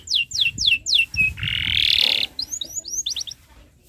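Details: Singing canary on a tutor recording for young birds: a row of four falling whistles, a clipped note, a loud buzzy rattle lasting about a second, then scattered high chips and quick twitters.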